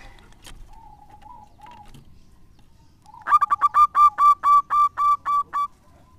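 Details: Zebra dove of local stock used as a lure bird: a few soft rolling coos, then a loud, fast run of about eleven ringing coos repeated steadily.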